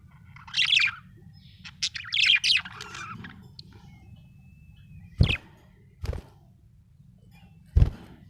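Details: Happy budgerigar giving scratchy warbled chirps in the first seconds, then quieter, with several sharp low thuds or clicks later over a steady hum.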